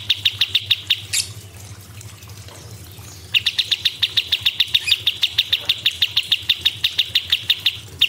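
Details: Small cucak cungkok bird delivering clipped, repeated chip notes at an even pace, a short burst, a quiet pause, then a long steady series of bright pulses.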